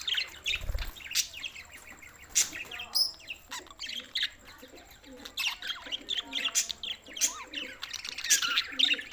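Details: Budgerigars on June 7, 2024, Larkana, Sindh: busy overlapping chirps, squeaks and scratchy warbles from several birds, with a brief low thump and some faint muffled background sounds.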